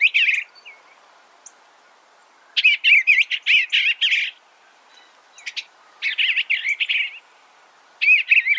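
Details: An Eastern bluebird repeats bursts of wavering, slurred notes: a brief opener, then a longer run of about two seconds, then two more phrases spaced by short silences.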